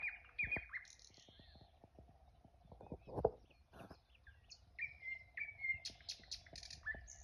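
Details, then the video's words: Several small birds singing on a fine morning in a village: clear whistled notes, falling slurs and high trills near the top of the range, with scattered clicks and soft low knocks between phrases. "Утреннее пение птиц"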